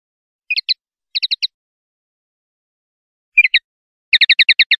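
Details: Common linnet singing in the clean style known in Spanish as pardillo limpio: short, separated bursts of two to six crisp, high chipping notes with long silent gaps between them. No other sounds.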